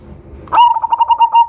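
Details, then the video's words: Cemani zebra dove with a loud voice, kept as a lure bird, giving a sharp opening note then a rapid even series of about seven pulsed coos on one steady pitch. "PERKUTUT CEMANI GACOR SUARA BESAR IRAMA UNIK COCOK BUAT PANCINGAN"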